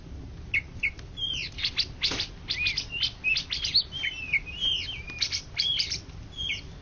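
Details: Greater green leafbird (cucak ijo), a contest bird ranked first across Indonesia in 2013–2014, singing high, fast whistles with rising and falling slurred notes and sharp chirps in rapid bursts over steady low background rumble.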